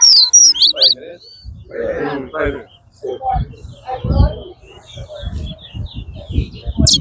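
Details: At a towa towa bird singing competition at Lamaha Ground, a chestnut-bellied seed finch gives quick, high, sweet twittering notes that open strongly, then continue more softly under men talking and counting nearby.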